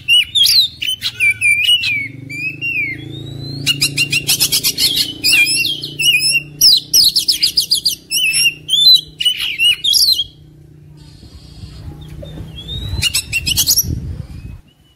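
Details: Oriental magpie-robin singing aggressively, tail opened, ready to fight: ten seconds of dense varied phrases mixing clear whistles, rattling trills and harsh scratchy notes, then a quiet spell with low hum and a last harsh burst.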